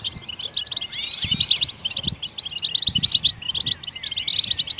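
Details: Goldfinches singing to rouse other songbirds: staccato high chirps and jingling trills pour out nonstop, interrupted by a few loud, looping whistled slurs early on, with muffled low thumps in the background.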